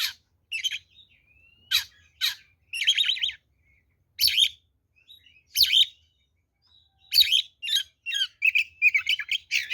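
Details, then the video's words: Fighting song of the oriental magpie-robin, kacer 'ngeplong' style, serving as a lure: spaced scratchy bursts roughly every second, building into a faster run of chattery and whistled notes at the end. "SUARA BURUNG kacer gacor NGEPLONG TARUNG"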